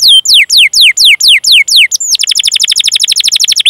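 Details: Canary singing a training phrase for young birds: steeply falling whistled notes repeated about four per second, followed by a long, fast rolling trill.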